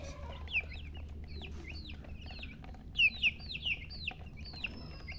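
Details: Baby chicken chicks chirping: sparse, sharp downward-slurred peeps, several louder ones bunched near the middle, over a steady low hum.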